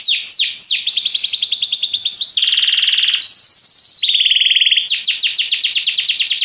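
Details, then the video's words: Song of a yellow Belgian canary standing out as a singer: quick descending sweeps, a rattling lower trill, a bright sustained higher trill, another low trill, then renewed rapid sweeping notes. "canário belga amarelo se destacando no canto, gogo de ouro"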